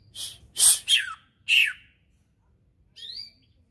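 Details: A Berau cucak ijo in contest preparation delivers a quick run of loud, harsh chirps and downslurred notes, then a short gap and a single rising whistle.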